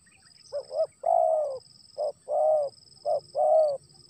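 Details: Spotted dove calling as rain begins to fall, giving short cooing phrases, each a quick double note followed by a longer mellow coo, over a steady high-pitched whine in the background.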